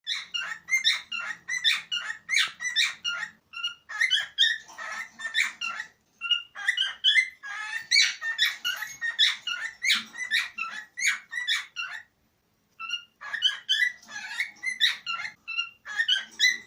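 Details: Cockatiel (Nymphicus hollandicus) sings a long run of bright, warbling whistles and chirps, with only brief pauses.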